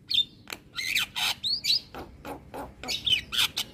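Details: Asian pied starling singing hard to provoke neighbouring starlings, delivering loud harsh squawks alternating with bright whistled notes, in a steady series of bursts.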